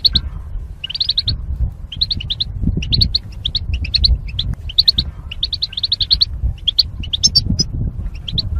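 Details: Caged goldfinches paired for mating and divided by wire partitions twitter almost without pause: rapid high metallic notes grouped in short volleys, a buzzy flourish late on, and a rumbling low hum throughout.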